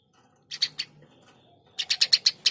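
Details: Eurasian tree sparrow chirping energetically: two or three harsh, high chirps, a pause, then a rapid run of about six evenly spaced chirps.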